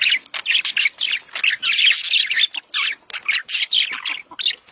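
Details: Mating chatter of budgerigars, used to prompt the hen to lay eggs quickly; bursts of harsh squawks and high twittering notes follow one another in quick succession across the whole stretch.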